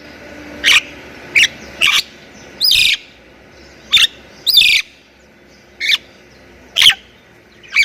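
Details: Sparse song of a Javan myna, a Thailand jalak kebo described as gacor with full isian: isolated sharp chips and a few longer harsh rasps, separated by gaps of about a second.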